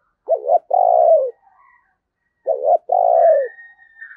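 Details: Spotted dove used as a lure bird, calling to wild doves. Two clean phrases, each a short wavering double coo followed by a long, low, gently falling coo, with a faint higher whistle after.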